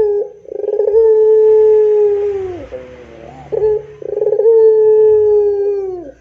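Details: Two long pelung coos from a puter dove, each a pulsed rolling onset stretching into a steady low drawn note that drops at the end, separated by soft wavering hoots.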